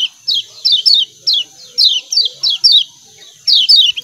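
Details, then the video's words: Kecial kuning, the lemon-bellied white-eye of Lombok, calling "ciak ciak": bright, high, down-slurred chirps in quick clusters of two or three, repeated steadily with brief gaps, over a constant thin background hiss. "CIAK CIAK KECIAL KUNING"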